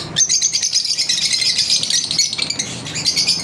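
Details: Lovebirds during their daily routine: a dense, shrill stream of rapid high chirps and clicking chatter from several birds at once, continuous and overlapping with no pauses, and no other clear sounds.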